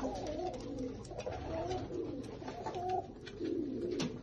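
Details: Indoor coos from Lotan tumbler pigeons: soft, throaty, undulating notes that rise and fall in a steady murmuring run, with light knocks and scuffles in the room.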